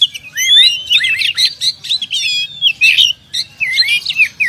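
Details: Oriental magpie-robin, a champion contest bird, pouring out dense whistled and buzzy phrases with rapid slurred notes and brief gaps, loud and close.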